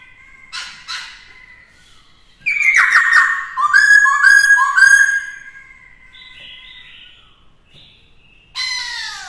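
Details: Captive black-throated laughingthrush used for training a young bird; two short notes, a pause, then a burst of loud warbled whistles dropping and levelling, followed by soft twitters and another strong note.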